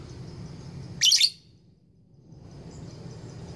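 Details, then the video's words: Female lovebird courting a male, ngekek style: a loud, shrill, scratchy burst of chirps, then a pause and a faint high rapid trill resuming, with a low steady hum throughout. "Lovebird gacor ngekek panjang betina merayu jantan"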